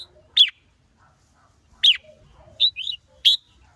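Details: Male red-whiskered bulbul excited into song by a female: four loud clipped notes, steep downward-sweeping whistles alternating with a doubled chirp, roughly one every second, faint soft notes between, otherwise quiet.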